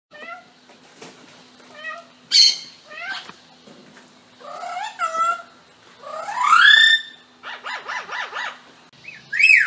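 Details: Parrot imitating sounds from its surroundings: a varied series of whistles, meow-like wails, rising sweeps and rapid warbled trills, with changing pitch and quiet gaps between phrases.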